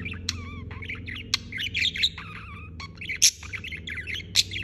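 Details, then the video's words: Budgerigar chirping nonstop with rapid chattering warbles, a couple of clear slurred whistles and sharp clicks, over a steady low hum in the background. "Chirping non-stop"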